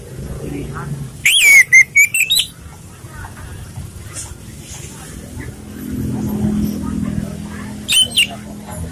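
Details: Orange-headed thrush singing a relaxed song used to lure other birds: one quick burst of sweet whistled and chattering notes, then a brief two-note fragment later, over faint talking and low background murmur.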